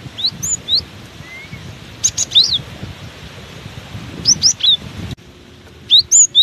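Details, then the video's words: Cinereous tit persistently singing in gusty strong wind: repeated phrases of two or three sharp, high whistles with upward and downward slides, about every second or two, over low rumbling wind that drops away near the end. "Diterpa angin kencang! burung gelatik batu ini tetap gacor"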